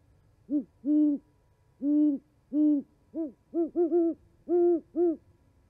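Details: Owls chatting in winter at a Charlo, Montana osprey nest, 11 January 2020: about eleven deep, mellow hoots, evenly spaced at first, then a quicker bunch of short notes followed by two fuller hoots.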